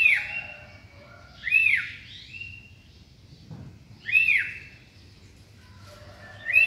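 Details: Morning song of a sooty-headed bulbul: short arched whistled phrases repeated about every two and a half seconds, with softer notes between them and a constant low hum behind.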